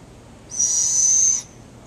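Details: In her enclosure, a captive female barred owl calls at an entering animal keeper, likely seeking food or enrichment: a single loud, sustained, high and steady hissing whistle of about one second.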